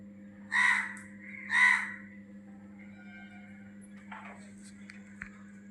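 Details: Birds heard outdoors: two harsh, cawing calls about a second apart, then softer scattered chirps against a steady low hum.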